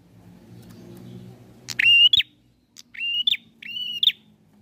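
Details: Bar-winged prinia singing actively as if seeking a rival: after a low hum, three strong buzzy level notes with sharp upward endings, about one second apart.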